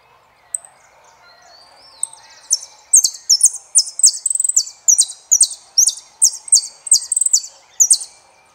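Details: Saffron finch (Argentine jilguero) song: a few scattered high notes build into a steady run of bright, downslurred, buzzy chirps repeated about twice a second.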